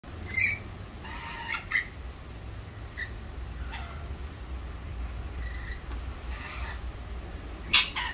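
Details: Wild rainbow lorikeets in Australia giving harsh, screechy squawks: a loud burst at the start, another near two seconds and a final one at the end, with fainter scratchy calls between over a steady low rumble.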